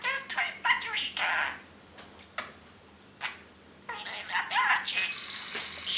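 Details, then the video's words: Caged parrot producing a few chattered syllables and sharp clicks, a quiet gap, then a long loud high whistle with buzzy texture. "INDI TALKING IN HIS CAGE"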